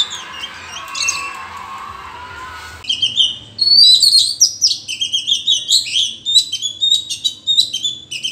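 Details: Wild Oriental magpie-robin singing in a duel with rivals in forest; after a noisy opening, a rapid run of varied high whistles, chirps and slurred notes follows, several short phrases per second.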